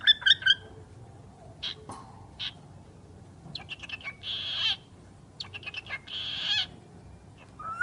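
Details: A pet talking bird giving short, harsh chirps and clicks, then two longer noisy squawking phrases near the middle and end, finishing with a brief rising whistle; faint low hum underneath.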